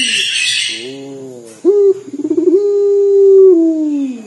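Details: Puter dove of a local type calling dor, described as sounding like crying: after a hissing noisy start comes a soft low tone, then a sharp note, a rapid rolling stutter and a long sustained coo that sinks at the end.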